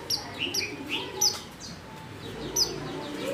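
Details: Female white-eye in heat calling a male: several brief high chirps, some dropping in pitch, half-masked by a busy low background rumble and noise.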